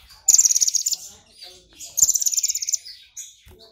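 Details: An agitated, provoked brown-throated sunbird delivers two long, dense phrases of piercing, rapid-fire high trills, mimicking golden grasshopper song, with quieter twitters in between.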